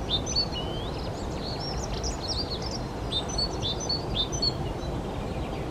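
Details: Dunnock in full song, a rapid tumbling jingle of high, slurred whistles running for most of five seconds over a low steady background hum.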